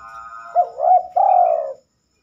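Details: Spotted dove at night, when it seldom sings: a single low, smooth coo phrase made of a brief note, a wavering middle and a drawn-out final note that trails off into silence.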